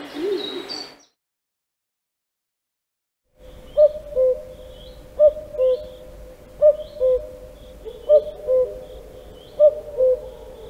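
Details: A Common Cuckoo in Central Russia gives its two-note 'cu-coo', a higher note dropping to a lower one, repeated five times about every second and a half.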